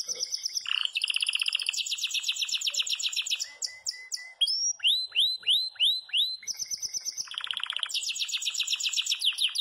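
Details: Yellow Belgian canary in full song, singing loudly without pause: rapid high trills and buzzy rolls, broken midway by a run of clear, downward-slurred whistles.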